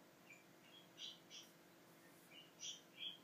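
Budgerigars give short, bright chirps and squeaky twitters at high pitch, scattered in quick bursts a few times a second, against a quiet indoor hush.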